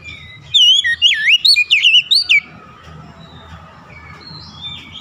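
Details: Oriental magpie-robin delivering one quick run of bright, looping whistles with sharp rising and falling slurs for about two seconds, then fading into soft background chatter of other birds.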